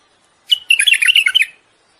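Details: Song of a common bulbul given for mating, to ready the female for breeding: a single clear, rapid run of bubbling, warbled notes lasting about a second, in otherwise quiet surroundings.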